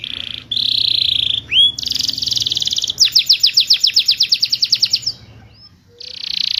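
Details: Canary song for encouraging silent canaries to sing: a steady rolling trill, a pair of curved whistles, a buzzy roll, then a rapid string of sharp repeated notes, a pause, and another trill.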